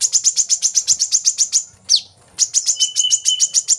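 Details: Brown-throated sunbird song used to make kept birds sing: rapid high chirps, a short gap with one sweeping down-slurred note, then the chirping resumes over a thin steady lower whistle.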